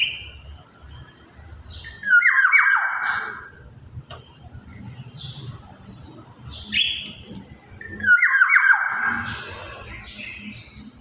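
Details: Black-naped oriole, described as singing vigorously, giving two loud, harsh, nasal downslurred bursts about six seconds apart, with a few fainter short notes between them over a low background hum.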